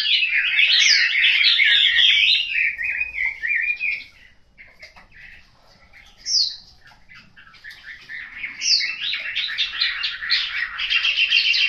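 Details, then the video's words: A home-kept Chinese hwamei in Hanoi gives a loud, rich, rapidly warbled song of varied high phrases, broken by a brief quiet spell and a single sharp note before resuming. "Họa mi"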